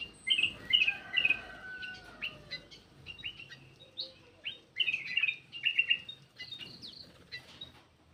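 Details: Black-crested bulbul lure call: bright, slurred whistled phrases repeated in quick bursts, with overlapping chirps from other birds and a soft rustling background.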